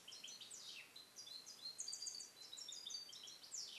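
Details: Song-trained European goldfinch, captive-bred in 2021 and isolated in a carrier; continuous fast, high twittering with clear whistled notes and quick downward sweeps, over a low steady hiss.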